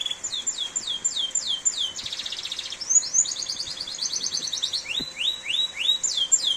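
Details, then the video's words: Canary song in heavy rain: a run of quick, high, downslurred notes, a dense buzzy trill, rapid rising chips, then more bright slurred notes, with the rain's hiss faintly beneath. "Suara Kicauan Burung Kenari di Saat Hujan || The Sound of a Canary Chirping in The Rain"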